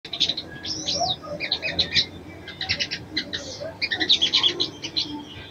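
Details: Female brown-throated sunbird calling a male to arouse him: bursts of high, thin chirps and a slurred rising-falling whistle, with short pauses between chattering groups.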